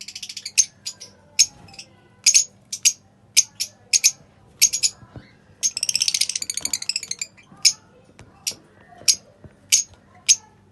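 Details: Pale fallow lovebirds singing and chirping: sharp, high, scratchy chirps in short bursts, spaced irregularly, with a denser chattering stretch in the middle.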